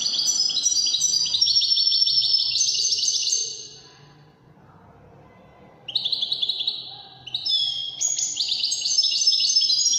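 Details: European goldfinch (wedani) in song: rapid jingling, twittering notes with buzzy trills in fast phrases. A quiet gap follows, then fresh bursts of high chirps resume, over a low background murmur.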